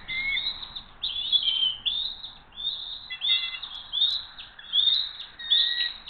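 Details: Members of the Hays bald eagle family arrive for dinner on June 22, 2023, with a steady run of high, piping chirps, several overlapping notes and short falling squeals repeating about once a second.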